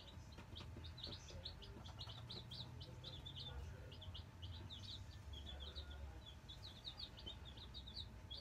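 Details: Newly arrived Black Australorp chicks settling in a brooder, nine birds, keep up a busy chorus of quick, high, overlapping peeps against a low continuous hum.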